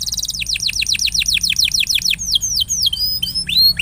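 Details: Canary song played to encourage a quiet canary to sing: a steady run of about fifteen rapid descending whistled notes, followed by varied swooping and rising slurs.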